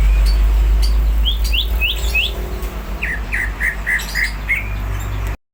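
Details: Greater green leafbird singing, described as hyper and ready to fight: evenly spaced short chirped notes in two runs of about five, over a loud low rumble.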